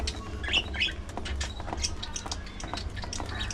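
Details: High twittering notes from parakeets at their food, two sharper chirps early on, then lighter chatter mixed with pecking and a low background hum.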